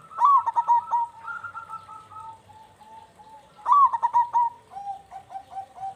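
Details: Local Indonesian zebra dove, with a deep 'kung' voice, used as a lure to prompt other zebra doves to sing. It gives a rolling, stuttering cooing phrase ending in soft drawn-out coos, then the phrase is repeated.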